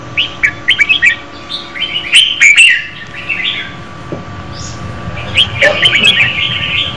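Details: Red-whiskered bulbul female singing to excite a male, starting with rapid repeated chirps, then warbled phrases, a pause, and more chattering notes over faint hum.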